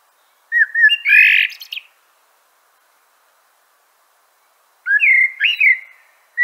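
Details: Common blackbird (Turdus merula) song: a loud whistled and chuckling phrase ending in a rough high burst, a long pause, then another swooping fluty phrase.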